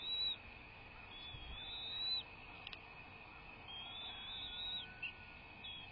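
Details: Live nest cam of an American bald eagle nesting pair, 01.03.2024 at 06:39: long, high, flat whistled notes with slight wavers, repeated a few times with gaps, plus a brief click and a constant high-pitched hum.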